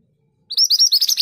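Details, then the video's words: Scarlet minivet, a mountain forest bird, singing: a rapid run of high, sweet, slurred whistled notes in quick succession, starting abruptly after a short silence. "BURUNG MANTENAN GACOR ROLL PANJANG TERBAIK UNTUK MASTERAN"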